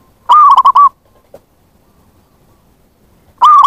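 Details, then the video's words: Zebra dove lure call used to attract wild birds: a loud, bubbling coo of about four rapid wavering notes, then silence before the next phrase begins. "Pancingan bunyi + pemanggil perkutut liar"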